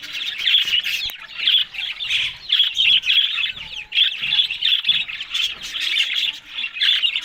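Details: Australian budgerigars chatter steadily while eating green food in the morning, a high warbling stream of chirps pulsing in waves, with a sharp click near the start.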